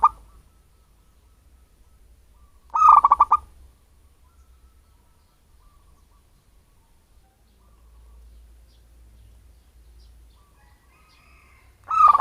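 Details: Zebra dove taken from its natural habitat, its voice used as bird bait: brief bursts of fast pulsed cooing separated by nearly nine seconds of near silence, with faint distant chirps in between.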